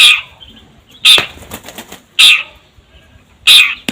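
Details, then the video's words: Long-tailed shrike, an active singer recorded as a lure: four loud rasping calls about a second apart, with a brief flutter of wings after the second. "Pancingan Cendet Gacor"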